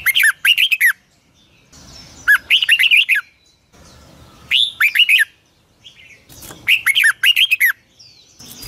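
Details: Red-whiskered bulbul song used to train other bulbuls to sing at dawn: four rapid bursts of loud, liquid whistled notes, each under a second, repeated at roughly two-second intervals.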